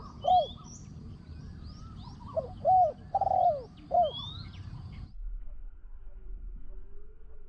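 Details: Spotted dove used as a decoy for luring wild doves, noted for a small ringing voice; a few rounded coos in the first four seconds, then near quiet, with faint whistles of other birds overhead.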